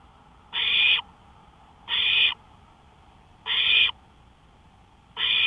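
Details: Porch owl recorded 1:53 AM, May 5, 2013, producing loud noisy hiss-like screeches roughly half a second long, four in a row at slightly uneven gaps of about one and a half seconds, otherwise quiet.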